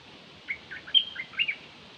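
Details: Calls of a Dok Taeng bird used as a decoy: a lively sequence of short high chirps, slurred up and down, packed into about one second, with soft hiss behind.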